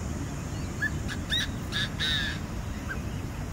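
A francolin gives a quick run of four or five harsh, grating notes over about a second, against a steady low rumble of background noise.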